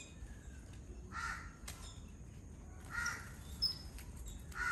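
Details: Yellow-billed Babblers in a flock eating coconut from the shell; rasping nasal calls repeated about every two seconds, each a brief harsh burst, over quiet low background noise with a faint higher chirp.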